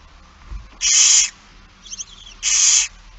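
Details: Two loud wheezing screeches, about half a second each, from a barn owl at a feeding in Friesland, Netherlands, September 2019, with a short faint chittering between them.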